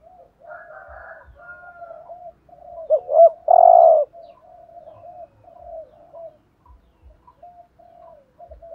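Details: Spotted dove used as a decoy, calling in the driving 'thúc gù' way. A single loud phrase of two brief looped notes and a long coo stands out amid steady soft, wavering cooing that runs through the recording.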